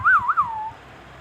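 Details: Baby Indian ringneck parrot, a pet, giving a short clear whistled phrase, two quick rising-falling loops then a long gliding descending note, in a quiet room.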